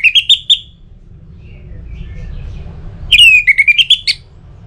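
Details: Orange-headed thrush singing to stimulate other birds: a short run of bright whistled notes, then after a quiet gap a longer rapid phrase of slurred, descending and rising whistles, with faint low background hum.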